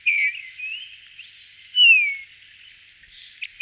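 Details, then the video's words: Eurasian bullfinch (Pyrrhula pyrrhula) singing a few soft, slurred whistles. A loud drawn-out note falls in pitch near the middle, and fainter wavering notes surround it against a quiet background. "Πύρρουλα Pyrrhula pyrrhula"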